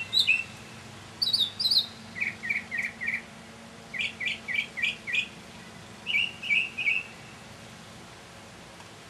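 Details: Mockingbird giving a mini concert early one evening in May 2007: series of repeated chirpy phrases, each type sung three or four times before switching, shifting between high sharp notes and lower slurred ones around mid pitch.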